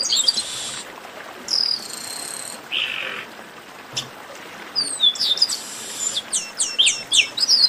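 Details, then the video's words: An esquenta warm-up from the chestnut-capped blackbird (garibaldi): buzzy rasping bands, a lower harsh note midway, then accelerating sequences of bright falling whistled notes toward the end. "Melhor Esquenta de Garibaldi"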